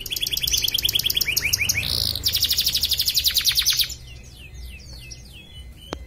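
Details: Pontianak canary in an online song contest: a brisk trill of falling notes, a short buzzy swell, then a long loud metallic trill of rapid repeated notes, fading into softer scattered twittering.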